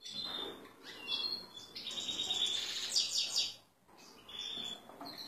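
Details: Male European goldfinch, excited and ready for a female canary, sings rapid tinkling twitters mixed with nasal buzzy notes, building into a dense bright trill before a short pause and resumed chatter.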